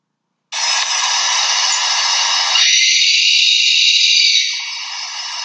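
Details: A Sooty Owl, also called the wailing woman bird, gives its night-time call near homes: one long, harsh, hissing screech of about five seconds, level and grating, its lower edge thinning midway. No other sounds.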